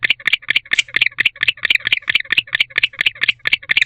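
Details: Chirping of a male barn owl at an owl box, winter courtship, evening of 27 October 2023, calling for a female to join; close, raspy double-edged chirps in a fast run, about two per second.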